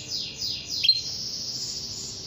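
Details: Female canary calling to a male, meant to provoke a silent male into answering: three quick high notes sliding steeply downward, then a sharp click and a steady hissing high-pitched tone.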